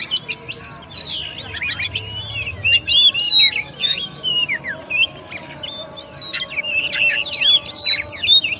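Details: Rapid, varied song of an oriental magpie-robin (kacer): dense bursts of whistles, upslurred and downslurred notes and chattering clicks, quickening toward the end, over faint low humming.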